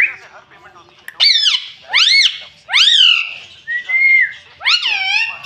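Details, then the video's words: Talking rose-ringed parakeet kept as a pet, saying "mummy": five loud arched, wavering syllables about once a second, each rising then falling, one flatter whistled note among them. "मम्मी बोलने वाला तोता - मिट्ठू बोलने वाला तोता"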